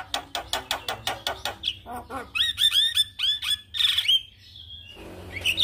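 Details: Responding to a lure recording of a vigorous Javan myna, a usually silent myna gives a rapid regular string of dry harsh notes. It then switches to ringing whistled calls mixed with grating squawks.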